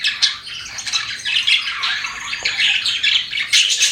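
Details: Pet budgies chirping, a busy chatter of scratchy, squawky notes and short bright tweets, nearly continuous over four seconds with brief dips.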